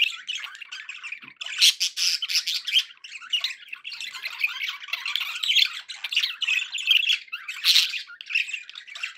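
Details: Happy budgies, kept as pets, chattering nonstop in a steady stream of buzzy, scratchy warbles and short squawks.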